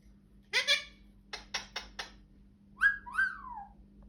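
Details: Indoor pet parrot, annoyed after yawning, gives a raspy harmonic squawk, then a quick series of dry clicking bursts, followed by two piercing whistled notes that slide downward, with a faint steady hum behind.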